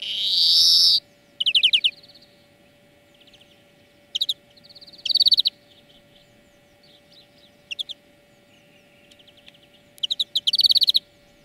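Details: European greenfinch song lesson for training birds: a long loud nasal wheeze, then rattling trills, quiet buzzy notes and scattered chips, ending in a pair of fast loud trills.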